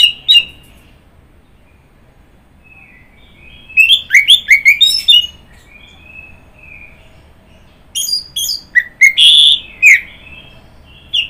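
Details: Orange-headed thrush with scattered song phrases: quick chattering runs of sharp notes mixed with soft, drawn-out whistles, long pauses between bursts and a quiet background.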